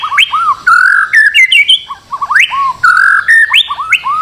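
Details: White-rumped shama master song for prompting a bird to sing: rich looping whistles, arched notes and quick upward sweeps mixed with short clicks.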